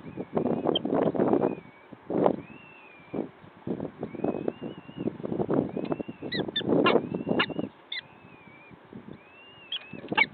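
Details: Two peregrine falcon chicks at a nest in Wakefield, 29 April 2021: thin, arched, wailing calls repeated irregularly over heavy low rumbling and knocking noise.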